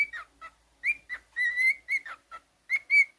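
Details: Pet male cockatiel whistling a quick run of clear notes around a steady high pitch, some short and clipped, others drawn out and sliding, with brief pauses between phrases.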